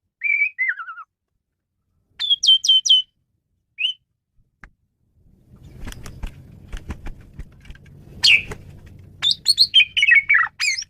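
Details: Singing male Asian pied starling, recorded as a lure for training birds: a falling whistled phrase, a burst of sharp repeated chirps, then a low rumbling background beneath more squeaky varied notes.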